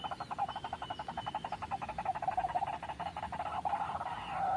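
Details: White-breasted waterhen lure for trapping, a rapid, throaty chattering of pulsed notes throughout, growing louder and rougher toward the end.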